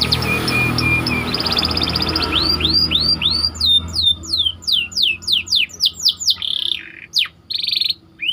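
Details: White canary song used to train other canaries, over a steady low hum: short repeated high notes first, then a run of loud descending whistled sweeps and brief buzzy bursts.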